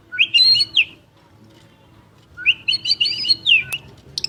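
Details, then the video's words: A champion murai batu, the white-rumped shama, sings two lively whistled phrases with warbled, rising notes, separated by a pause of about a second and a half. A soft low background hum is present. "Murai Batu Gacor Juara: Kicauan Penuh Gaya dan Energi"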